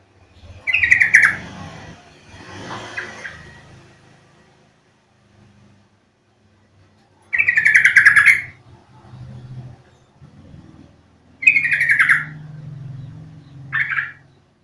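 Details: Yellow-vented bulbul call used to coax birds into song: repeated chattering, pulsed phrases every few seconds plus one short final note, over a low rumbling background hum.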